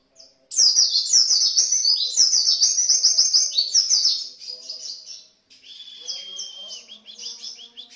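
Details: White-eye singing a vigorous 'gacor' lure song ('pancingan'): a rapid, high, twittering warble of tumbling chirps that runs almost five seconds, breaks briefly, then resumes with a steadier whistled strand.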